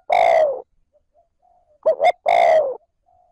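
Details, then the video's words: Spotted dove kept as a decoy, calling 'trơn ròng' to provoke wild birds: a drawn-out falling coo, a pause, then two clipped hollow notes leading into another long mellow coo. "Tiếng cu gáy trơn ròng thúc gù gáy kích bổi nhanh nổi / Cu gáy gọi trơn ròng"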